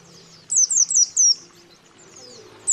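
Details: A male and female white-eye call a rival, in bait sound for luring aggressive or wild birds. Four loud, slurred, high descending chirps are followed by fainter softer notes.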